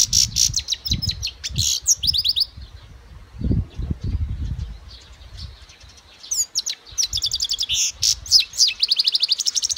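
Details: Goldfinch song in fast, liquid, twittering bursts of high chirps and trills, broken by a quieter gap midway before resuming in quick repeated notes, over intermittent low knocking sounds.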